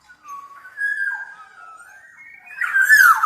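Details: Black-naped oriole singing, a long fluty whistle that slides smoothly up and down before a louder, brighter warbled phrase at the end; the room is otherwise quiet.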